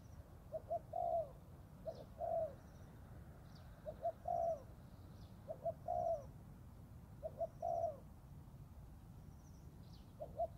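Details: Young Thai spotted dove cooing during forest training, a regular series of phrases: two clipped notes then a longer warbling coo, about six phrases spaced near one and a half seconds apart over low background rumble.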